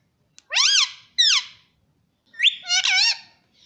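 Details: Indoor pet rose-ringed parakeet mimicking speech, uttering two rising-then-falling harmonic syllables, a pause, then a longer wavering, slightly rough phrase with a brief trailing squeak.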